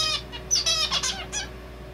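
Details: Zebra finch male's song with copied red avadavat calls: a dense burst of high, harmonic chirps and squeaky notes, a few with falling pitch, delivered rapidly without pause.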